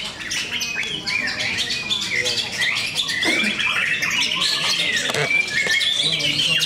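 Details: White-rumped shamas competing at a singing contest in Cikeas, Indonesia: several birds pour out overlapping high whistles and chattering phrases, with faint human voices underneath.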